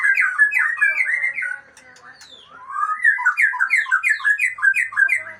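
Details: Aceh white-rumped shama, called a super fighter, sings rapid chattering phrases, breaks for about a second, then resumes with a fast series of rich, repeated down-slurred whistles.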